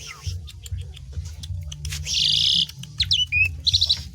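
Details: Asian pied starling song meant to stimulate other birds into singing: scattered chips, then a long harsh buzzy burst followed by sharp slurred whistles and a quick repeated note series over a low hum.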